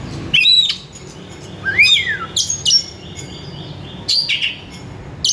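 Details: Singing Oriental magpie-robin (kacer), a lure to get a kacer singing: varied phrases of clear whistles, a falling slurred note, sharp high chips, and warbled trills separated by brief silences.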